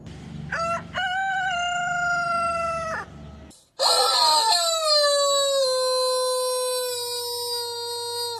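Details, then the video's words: Aseel cock crowing twice: a short clipped start, then a sustained harsh crow of about two seconds, a brief gap, and a second long crow opening with a rough burst and sliding down into a drawn-out, gradually falling note. "Aseel crowing"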